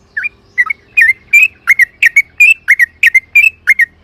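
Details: Yellow-vented bulbul used as a lure to prompt other birds to sing: a steady series of short, bright, whistled chirps, some doubled, coming roughly two or three per second, in quiet surroundings.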